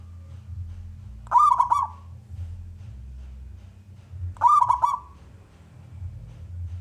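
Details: Singing local zebra dove from Indonesia, kept to coax other doves to sing. Two short, rolling, stuttered coo phrases about three seconds apart, with quiet low hum between them.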